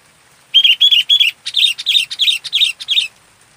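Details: Fully active local sooty-headed bulbul: three clear whistled notes on one pitch, then a quicker run of six buzzier, slurred notes, all delivered within about two and a half seconds.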